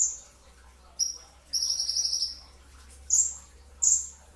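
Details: Brown-throated sunbird singing before dawn during the pre-fast meal. A short high note and a buzzy, jittery trill of about a second are followed by two piercing downslurred notes.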